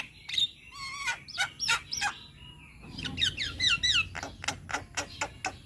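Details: Javan myna, young, vigorous singer with many varied phrases: low and high whistles, warbled falling notes in a quick series, then rapid clicking chatter.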